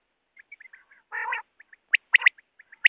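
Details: Quail recorded wild for hunting with a net: faint soft notes, a harsh nasal growl lasting a third of a second, then bright, clipped, whistled notes in a short burst.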